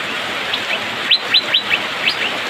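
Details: Asian fairy-bluebird singing in the rainy season, a fast run of four clipped rising whistles and a final one, over steady rain-like hiss.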